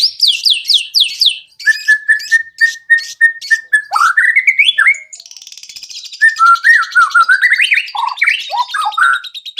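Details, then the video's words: White-rumped shama song used as a lure to get other shamas singing quickly and showing their repertoire: rapid downward-sweeping whistles, then a row of flat repeated notes, a buzzy rattle and varied rising, warbled phrases. "PANCINGAN MURAI BATU AGAR CEPAT BUNYI BONGKAR ISIAN"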